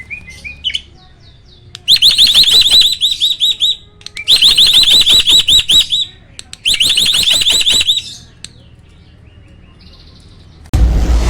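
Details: Captive hybrid starling, a cross between Asian pied starling and jalak putih, singing in the loud, forceful roll tembak style. There are three long bursts of rapid, harsh, repeated notes, each lasting about two seconds, followed by a short burst of noise.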